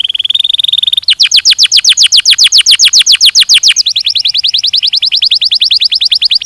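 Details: Canary starts with a rapid level trill, switches to a run of loud falling notes, then shifts to a slightly faster, softer series of falling notes, changing tour twice.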